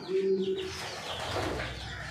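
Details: Racing Homer pigeon at a farm in Thoothukudi, Tamil Nadu, India, giving a short low droning coo at the start, followed by a brief bird chirp and a hiss of room noise.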